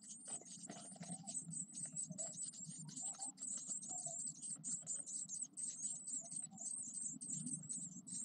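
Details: Nine-day-old Eurasian blue tit nestlings, ten in the brood, keep up a dense chorus of shrill, high-pitched begging squeaks, overlapping and nearly unbroken, with a low rumble underneath.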